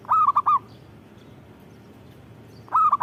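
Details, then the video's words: Perkutut, or zebra dove, of local stock in full lively song: a rolled cooing phrase of three round notes, then a pause of about two seconds before the next phrase begins. "Suara Burung Perkutut Gacor"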